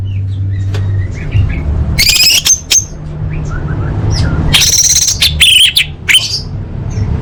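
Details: Orange-headed thrush song used to train competition birds: faint scattered whistles, then two loud bursts of fast, buzzy high trills and slurred notes, with a low droning hum throughout.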